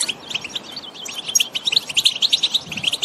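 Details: European goldfinch sings in the countryside, a fast, high, tinkling twitter of liquid chirps and buzzy trills, many notes per second; song meant to stimulate other goldfinches to sing.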